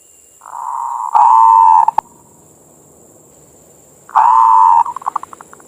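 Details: Manggung song of a local zebra dove (perkutut), played mornings and evenings to provoke other doves. Two bursts of mellow low cooing, the second ending in quick fading staccato notes, separated by a quiet gap with a constant high whine.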